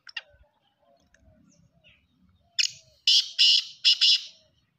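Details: Black francolin giving its call after a quiet start with faint soft chirps: a harsh opening note, then four loud raspy, grating bursts in close pairs near the end.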